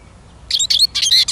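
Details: Eurasian siskin twittering: a fast series of short, squeaky, slightly buzzy notes delivered in quick bursts, growing denser toward the end.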